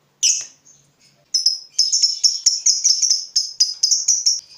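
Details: Lovebird fighter stirred up by the sight of an opponent, giving two loud shrill shrieks, then a fast run of high buzzy chirps that quickens into near-continuous chattering.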